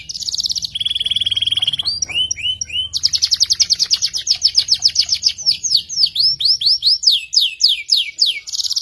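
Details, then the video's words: F2 YS canary singing hard with long ngerek trills and a sharp voice: rapid high rattling trills, buzzy sustained notes and runs of rising, sweeping whistles, with faint low hum beneath. "Kenari F2 YS gacor ngerek panjang, suara tajam mewah"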